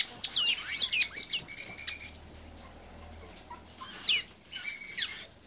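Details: A Blue-gray tanager in Santa Inês, Maranhão, Brazil, sings a fast run of high, squeaky, slurred notes for about two seconds, then pauses and gives two shorter squeaky bursts.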